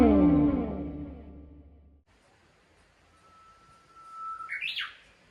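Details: Japanese bush warbler with a quirky, unusual song phrasing, on the shore of Lake Toya around sunset on 28 June, on a warm day. A long flat whistle leads into a quick rising, warbled flourish. Instrumental music fades out before the song.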